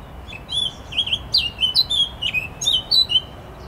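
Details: Eurasian blackcap singing on 14 July 2021: a clear, rich warble of short whistled phrases, rising and falling notes repeated in quick bursts, steady and close with little background noise.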